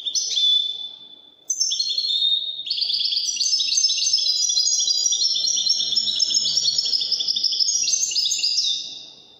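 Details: European goldfinch performing Moroccan wedani song, opening with a short whistle, then pausing before a long, unbroken stream of high, rapid, tinkling twitters and trills that tails off.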